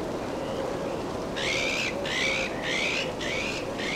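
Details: Iberian azure-winged magpie preening and feeding in Ria Formosa Natural Park, Olhão, Portugal, late December 2016. Five raspy calls with a thin whistled edge come in quick succession over a steady rushing background noise.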